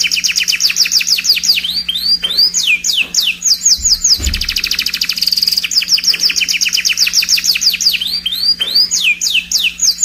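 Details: Scotch Fancy canary singing: rapid high trills and repeated sweeping downslurred notes in fast series, bright rolling phrases throughout, with a brief low thump midway and a faint steady hum underneath.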